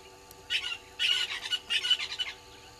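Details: Red-billed hornbills at Gowrie dam waterhole, Djuma Game Reserve, Sabi Sand, South Africa, at 06:08 on 20 March 2022, caught by a live waterhole camera: three bursts of rapid, clucking pulsed notes, the last two running about half a second each.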